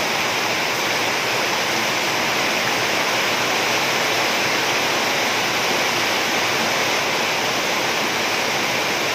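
Steady, loud rushing noise like heavy rain or flowing water fills the whole recording, with no animal calls heard.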